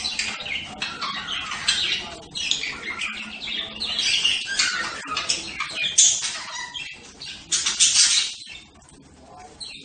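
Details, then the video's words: Budgerigar chatter running almost continuously: busy, high, grating warbles and chirps with louder squawks around the middle, fading quieter over the final second. "صوت طيور هند(البادجي)"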